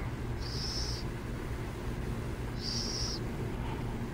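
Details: Two drawn-out, hoarse hisses from burrowing owls near San Jose, about two seconds apart, with a low background rumble of vehicles.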